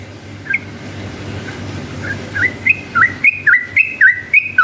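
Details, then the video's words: Yellow-vented bulbul whose long ropel song serves as a lure for rival bulbuls: after a few scattered soft notes, a quick regular series of clear whistled notes, each dipping and rising, builds to the end over faint hum. "KICAU SUARA trucukan gacor ropel panjang ini efektif jadikan pancingan trucukan agar bunyi ROPEL"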